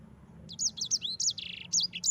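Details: Yellow-fronted canary singing as a training recording for other birds: after a quiet half second, quick high sliding whistles and a short buzzy trill follow in a fast run.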